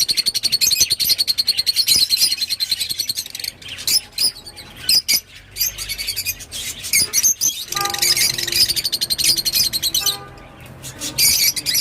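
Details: Rosy-faced lovebird chattering in quick, high, buzzy pulses, broken by gaps and isolated sharp clicks, with faint tonal sounds in the background near the end.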